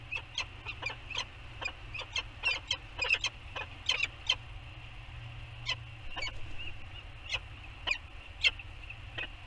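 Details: Peregrine falcon pair at their nest on Anacapa Island, Channel Islands, California, morning of 15 September 2020, bonding and beaking; harsh, scratchy calls, quick bursts then spaced about every second, over a steady low hum.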